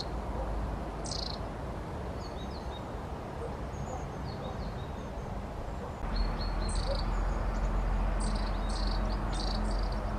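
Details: Long-tailed tit with faint, scattered high thin notes at first, then a livelier run of short buzzy rattles and thin high calls, over rumbling background noise that grows louder midway.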